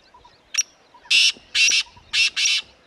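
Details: Black francolin at Corbett Tiger Reserve, Uttarakhand, in grassland: one short sharp note, then four harsh, scratchy, loud notes in two pairs, with faint chirps of other birds behind.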